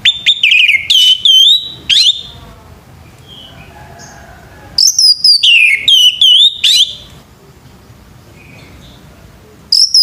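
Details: Male orange-headed thrush in morning song, loud rich whistled phrases that dip and rise, delivered in two bursts of several notes with quiet gaps and faint background chirps.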